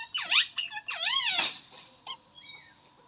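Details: Alexandrine parakeet (Psittacula eupatria), call.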